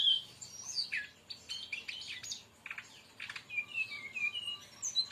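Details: Song of a brown-chested jungle flycatcher, used to lure or tutor other birds: a bright whistle opens it, then quick clustered chips and a run of thin, slightly falling whistled notes.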